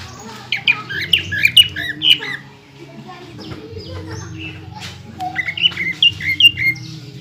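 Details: Greater green leafbird delivering bursts of squeaky, slurred notes and chips between pauses, song intended to rile up other leafbirds, partly masked by steady low background noise.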